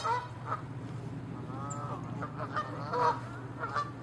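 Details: Canada geese in a territorial fight, honking; harsh honks scatter through, with a drawn-out wavering honk in the middle and louder clipped honks near the end, over a steady hum.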